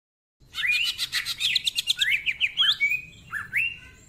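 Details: Greater green leafbird in full ngentrok-style song packed with isian fillers, rough-voiced and rapid: a burst of fast trilled notes, then sharp rising and falling whistled slurs repeated several times a second.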